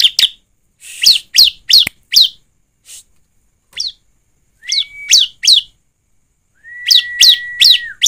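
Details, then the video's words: Bar-winged prinia singing, a recording used to coax birds into song: rapid, bright, rising chirps in short runs, a pause with scattered notes, then more chirp runs over a long, steady whistle that drops at its end. "Pancingan ciblek agar bunyi dan cepat gacor || ciblek gacor ( suara ciblek)"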